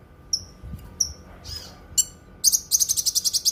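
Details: A Cucak kinoi sings, recorded for teaching other songbirds and for therapy: a few thin descending whistles and a brief burred note, then a brisk even series of about ten sharp high chirps.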